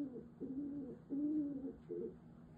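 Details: Domestic female pigeon in a small room, bowing and cooing at its owner as a sign of affection; four low, throaty coos, the third drawn out longest, separated by brief pauses.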